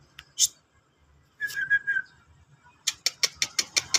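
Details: White-rumped shama, a fighter bird, giving trotol-style song: a clear sustained whistle wavering near one pitch, then a fast run of sharp, clicky chips repeated about five times a second, with quiet low hum behind.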